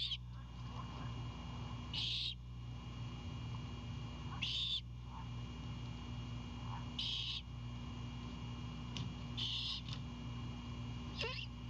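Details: Great horned owlet at a Savannah nest cam, greeting its mother returning with an Anhinga at 22:21 on 7 April 2022, with wing flaps and chips. Four harsh, wheezy bursts come at uneven intervals over a steady low hum.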